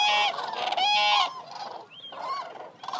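Eurasian cranes give loud, harsh, trumpeting calls in overlapping bursts with strong harmonics, followed by softer, higher bugling notes.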